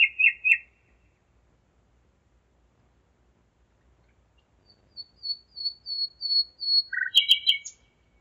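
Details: Common nightingale singing at 01:55 at night on 5 May 2017 in Zeitz, Germany: a short rattling phrase, a pause, then a run of eight or so thin, high whistles ending in a low note and a sharp trill.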